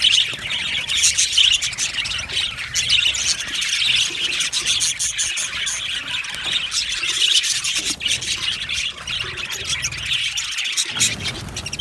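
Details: Many happy budgerigars in an aviary colony chirp and squeal almost nonstop, a bright, scratchy high chorus that holds steady for the whole stretch.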